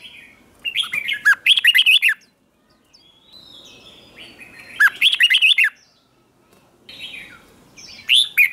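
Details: Red-whiskered bulbul morning contest-style song for training a newly caught bird: three vigorous phrases of fast, jumbled, slurred whistles, each over a second long, separated by pauses with faint background chirping and low rustle.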